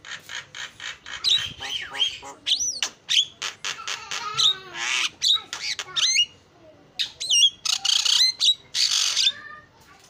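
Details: Starling lure song meant to bring out a bird's full singing: a busy stream of clicks, rasps and whistled upslurs mixed with mimicked notes, dense and rapidly changing throughout.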